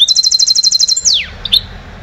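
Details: Trained goldfinch hybrid from 2011, a cage bird, sings a rapid, evenly repeated run of high double notes for about a second, then a long downward-sliding whistle and a brief sharp chirp.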